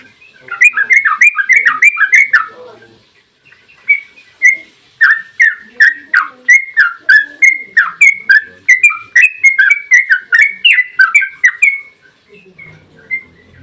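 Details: Yellow-vented bulbul (trucukan) in lively 'ropel panjang' song style, used as a lure to make other bulbuls sing: rapid runs of chirpy, slurred notes dipping and rising, a fast burst, short pause, then a long steady series of repeated phrases.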